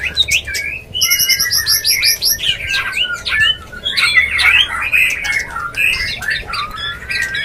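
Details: White-rumped shama mating call to bring a bird into breeding condition: a rapid series of about a dozen high ringing notes, followed by harsh chatter and long descending whistled slurs.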